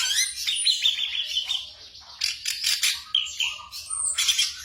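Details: Song of a black drongo, used at night to train caged birds: high, varied phrases with a sustained whistle, then abrupt harsh bursts and slurred notes in quick succession.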